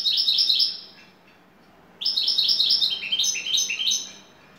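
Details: European goldfinch, a top bird from Turkey, in şakşaklı song: a brisk twittering phrase, a pause, then a longer series of high notes repeated in descending steps, sharp and metallic.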